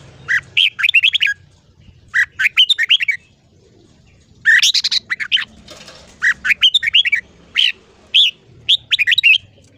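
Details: A red-whiskered bulbul sings its morning song, used for voice training: bursts of bright, bubbly whistled notes, rising and falling, in phrases about a second long with short pauses between.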